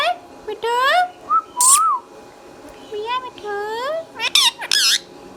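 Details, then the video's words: Pet green Indian ringneck parrot in a small room, mixing words in a nasal, voice-like tone with wavering whistles, a harsh squawk and several sharp noisy bursts. "Green Ringneck Talking Parrot"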